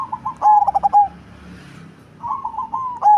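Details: Perkutut cemani zebra dove, large-bodied with a booming bass voice, delivering a pulsed coo phrase ending in a long tone, then a softer wavering coo leading into the next phrase.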